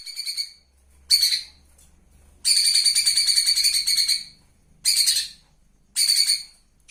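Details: A wild flowerpecker, recorded near rice fields as a training recording for captive birds, gives very high, thin, buzzy trilled bursts, five in seven seconds, one running nearly two seconds, with quiet gaps between.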